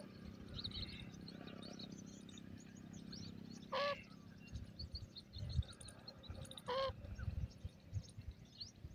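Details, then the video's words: Partridge: two loud, harsh, ringing calls about three seconds apart, each a short burst with stacked bands, over a low rumble, faint chirps of other small birds and scattered knocks. "dakhni teetar ghusa mn,partridg bird beautiful speaking"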